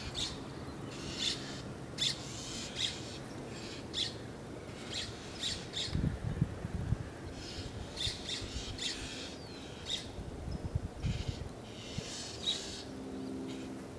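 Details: Northern Mockingbirds harass a juvenile Red-tailed Hawk resting on a fence after eating a snake, giving harsh, raspy chack notes in quick bursts every second or so, over low wind rumble and handling noise.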